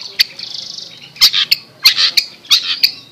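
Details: Long-tailed shrike described as a fighter, in a master chirping recording: harsh, broadband squawking bursts in irregular clusters with short, sharp chips between them, high-pitched overall.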